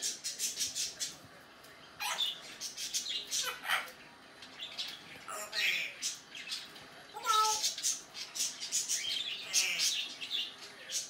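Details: African grey parrot kept as a pet, recorded in May 2019, running through imitated funny sounds, whistles and phrases: hissy speech-like bursts broken by a clear tonal whistle and several short squeaky notes.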